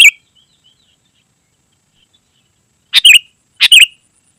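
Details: Sooty-headed bulbul singing gacor-style, used to lure wild bulbuls and tutor caged birds. Three separate chirpy whistled phrases: one at the start, then after a long quiet gap two more, about 0.7 seconds apart.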